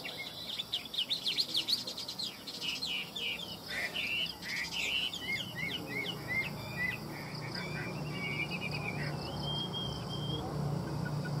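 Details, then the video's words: Caged Chinese hwamei offered for sale in Vietnam, singing a rich, fast run of varied whistled and slurred phrases, dense at first and then thinning into sparser notes ending in a long level whistle, over a steady low hum. "Hoa mi hót giọng hay"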